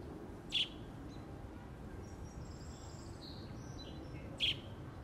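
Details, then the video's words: American robin fledgling calling for its mother: two brief, piercing high peeps about four seconds apart against constant low environmental noise, with faint thin whistles in the distance. "AMERICAN ROBIN FLEDGLING CALLING FOR MOM"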